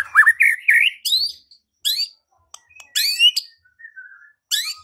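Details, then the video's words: White-rumped shama song meant to provoke singing and fighting: sharp rising and falling whistled phrases in separate bursts about a second apart, with a few softer notes in between. "Murai batu LANGSUNG TARUNG dan IKUT GACOR dengan pancingan seperti ini"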